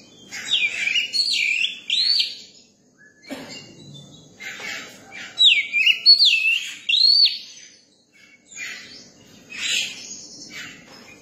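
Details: Young Oriental magpie-robin in song. It gives two loud bursts of looping, swooping whistles separated by a stretch of softer chattering notes. A final burst of high chirps closes the passage.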